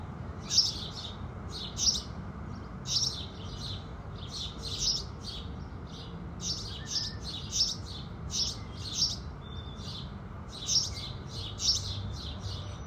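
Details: At sunrise, house sparrows sing with a steady stream of clipped, high chirps, often in pairs or triplets, spaced irregularly across the clip, over faint low rumble.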